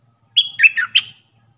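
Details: Puff-throated bulbul decoy bird calling for training hand-fed chicks: a whistled first note, then wavering falling slurs ending on an upward flick, over a soft low background rumble.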